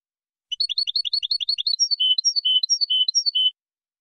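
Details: European goldfinch kept by breeders, singing a linked song of two changes, clean style from the Mazagan school: a rapid run of paired high chirps, then a switch to repeated descending two- and three-note phrases; no background sound.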